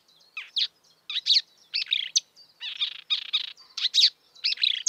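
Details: Chattering, varied song of a marsh warbler in the wild, with short bursts of scratchy, twanging and whistled notes tumbling in irregular groups, each phrase different from the last.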